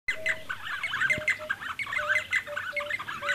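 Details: D'Arnaud's barbets calling near Lake Baringo: a dense, continuous chatter of rapid bubbly notes with steady flat whistled tones repeated beneath, the pair's voices overlapping throughout.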